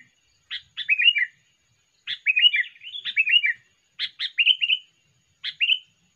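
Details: Energetic sooty-headed bulbul lure song: clear bubbly phrases of three or four quick, slurred descending notes, given in small bursts with pauses between, background quiet.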